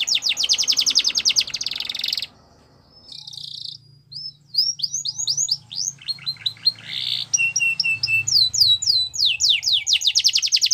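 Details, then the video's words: Champion canary song for teaching young canaries: a long dense rattling trill, a pause, then varied tours of quick whistled slurs, buzzy bursts and a clean rapid trill, with a faint low hum. "Canary Training Champion Song"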